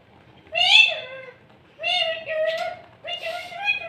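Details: Parrot talking from inside a cup: three long wavering voice-like phrases, nasal and meow-like, separated by short pauses.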